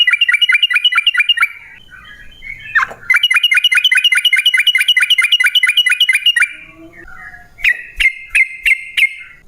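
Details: Yellow-vented bulbul song used as a lure for other bulbuls: a long burst of rapid, evenly spaced bubbly notes, then a pause with softer notes, and a final short series of crisp whistles.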